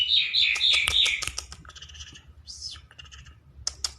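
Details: Tame, trained lark in full song outdoors: quick repeated whistled notes mixed with dry clicking ticks, a slurred rising-falling whistle, then scattered sharp chips.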